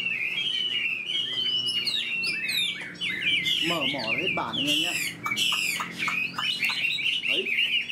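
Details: Caged Chinese hwamei, a spread-tail fighting bird, sings a loud, continuous run of bright whistled phrases that slide up and down, with brief lower warbled notes near the middle.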